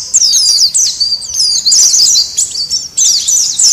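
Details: Noisy Oriental white-eye calls used as a lure for wild white-eyes: bursts of sharp, high, slurred twitters and chips, several birds overlapping, separated by short gaps every second or so.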